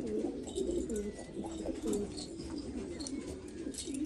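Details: Several black Afghan pigeons in Afghanistan give soft, low, bubbling coos in quick succession. The short wavering phrases follow one another almost without pause over a faint background hiss.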